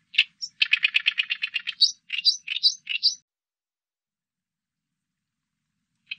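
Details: Oriental reed warbler, 2020 recording: a fast grating chatter of rough notes followed by a few harsh two-part phrases with squeaky tops, then silence and one last rasping note.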